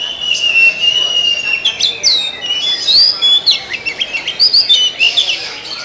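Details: Black Oriental magpie-robin singing. A loud, clear whistled song opens with a long steady note, then runs into rapid sweeping chirps and slurred rising and falling phrases of varied notes.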